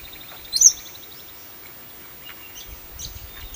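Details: Splendid fairywren in Western Australia giving a fast, very high, thin trill with one sharp squeaky note near the start, then a few faint high chips over quiet outdoor background.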